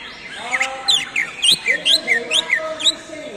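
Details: Greater green leafbird singing a lively series of sharp, chirping notes that twist up and down, roughly three a second, over a faint lower humming tone.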